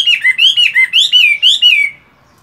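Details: Caged Chinese hwamei singing during moult in morning voice practice, a brief burst of loud, rich whistled notes swooping up and down about four times a second, then silence.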